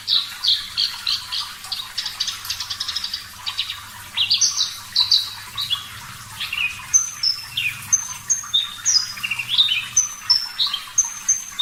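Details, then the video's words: Parva-type Javan bush lark singing vigorously with a clear voice. Varied high warbled phrases open the passage, followed by a quick chattering burst and a series of sharp, high whistled notes, some falling and some level. "Masteran Branjangan Parva Gacor Suara Jernih"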